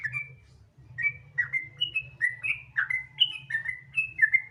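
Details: Lure song of the sooty-headed bulbul, meant to prompt other bulbuls to sing: one bubbly whistle, a brief pause, then a rapid chain of liquid, slurred notes with a low hum underneath.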